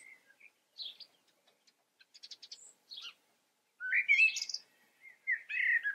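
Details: Common blackbird song with high scratchy twitters and a rapid ticking run, then a loud rolling whistled phrase that rises into squeaky notes, followed by a softer warbled ending.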